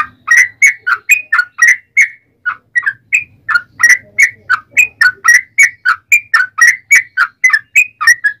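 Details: Fighting song of a yellow-vented bulbul, a long-running lure to draw answers from rival birds: rapid chains of bright, bubbly whistled notes, about three to four per second, with a brief pause near the start.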